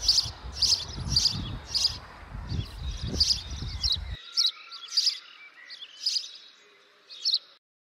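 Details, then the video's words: School-yard birds sing a run of quick, piercing chirps, nearly two per second at first, then sparser. A low rumbling background drops away midway, leaving the chirps clearer against near silence. "Birds Singing in the School Yard"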